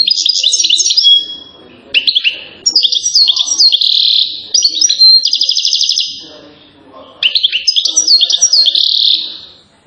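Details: European goldfinch from Settat, Morocco, hailed as a king of chain singing: several long phrases of sweet, high twittering, buzzy trills and quick rattles, with short breaks between bursts.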